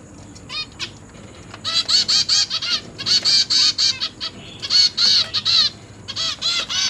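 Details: Zebra finch young being fed by their parents in a cage; after a short quiet start, rapid bursts of loud nasal buzzy begging notes in clusters, with brief pauses between groups.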